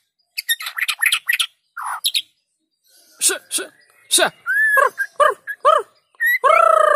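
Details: Actively singing white-rumped shama, a lure recording meant to set lazy shamas singing: quick bursts of sharp high chips, then a pause and a run of loud, harsh, descending harmonic notes ending in a long rasping phrase.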